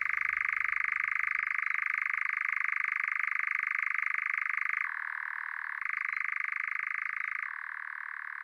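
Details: Nightjar churring on a local heath: a loud, unbroken rattling trill held steady for several seconds, then switching back and forth between a higher and a slightly lower pitch, with no other sounds behind it.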